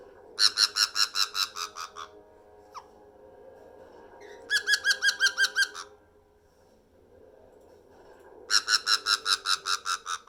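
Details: Black-headed caique, a 4-year-old female pet, gives three bursts of harsh, rapid "ha-ha-ha" laughter, about ten quick notes each, separated by short pauses over a quiet indoor hum; she screams daily and laughs like this.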